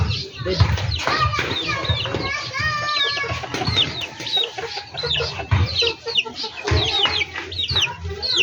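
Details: Chickens kept in a backyard poultry setting, hens and roosters together: busy chorus of quick high downward-sliding peeps and chirps, mixed with lower clucks and some rustling, over a low background drone.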